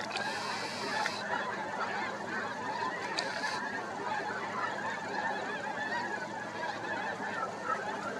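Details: Snow geese passing overhead early in the morning; a continuous, thick din of countless overlapping honks, with brief sharp clicking noises near the start and around three seconds in.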